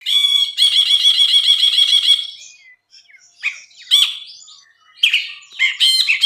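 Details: Bulbul (brinji), lively singing, used as tutor recording for training songbirds: a harsh, rapid buzzy trill with rich overtones for two seconds, then short scattered chirps and squeaky notes after a brief pause.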